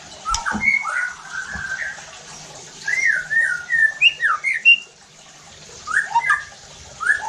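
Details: White-rumped shama song used to provoke other shamas: a sharp click, mixed whistles and squeaky notes, then a fast run of rising whistled phrases, a short pause, and further upswept notes.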